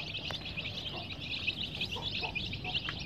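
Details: Colour-dyed baby chicks in a warmed enclosure give a constant high twittering of tiny peeps, backed by a noticeable low rumble and a few soft knocks.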